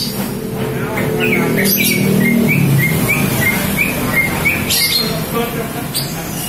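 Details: Female green leafbird calling to lure males: short bright chirping notes repeated rapidly, some slurred upward, over a steady low hum and background noise.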